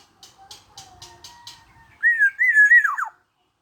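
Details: Soft clicking ticks and a faint thin tone precede a bright whistled song phrase from a persistently singing black-naped oriole aged 21. The phrase is a flowing wavering whistle ending in rapid descending notes.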